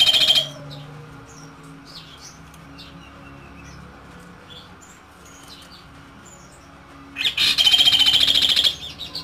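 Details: Kaso Kaso used as a master bird for other songbirds: a brief high trill at the start, a long quiet stretch with faint chirps and low hum, then a loud rapid pulsed 'tembakan' trill near the end.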